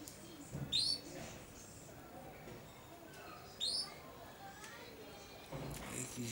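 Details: Caged juvenile male European goldfinch aged five and a half months, practising babbling subsong: two bright, rising chirped notes about three seconds apart over a quiet room background with faint murmuring.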